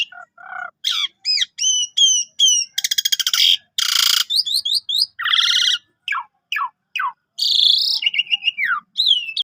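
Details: Lively Javan pied starling song recorded as a 5 o'clock lure and training material for canaries: varied whistled upslurs, a fast rattling trill, broad harsh screeches and downward-sliding notes, delivered in a dense, rapidly changing stream.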